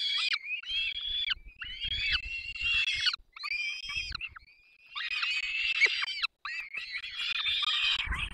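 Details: Begging of peregrine falcon nestlings while two adults feed them, Barycz Valley, 3 May 2024: long, strained, whining screams in overlapping bursts of a second or more, a thin drawn whistle between, faint low bumps.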